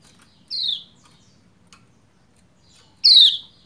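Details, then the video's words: A female Lombok white-eye gives the call used to make a male sing: a medium descending 'ciak', a pause with a faint click, then a louder, fuller downward-sliding note. "Ciak Ciak Pleci Lombok Betina Memanggil Jantan Supaya Cepat Gacor"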